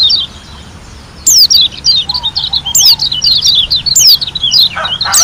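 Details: White-eye from Lombok, kept as a songbird, singing a fast, lively run of high, thin notes: twittering slurs and steep downward whistles tumbling over each other after a quiet opening, with a faint low chatter beneath.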